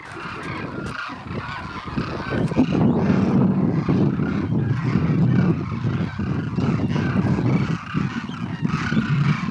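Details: Demoiselle cranes just back from wintering fly over near a pool by Bikaner, calling in a dense chorus of hoarse, honking trumpets overlapping several times a second over a low steady rumble.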